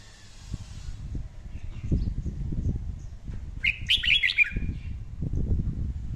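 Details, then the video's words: Red-whiskered bulbul, heard for daily song training in the 'căng lửa' style: a single burst of quick warbled notes midway through, largely masked by heavy low rumbling and handling noise. "luyện giọng chào mào hót hay căng lửa mỗi ngày"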